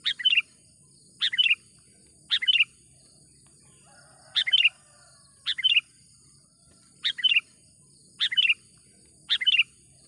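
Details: Chatty sooty-headed bulbul giving the lure call used to draw in wild birds for trapping: brief bright chirping phrases, about one per second, eight in a row, with a constant high hiss behind.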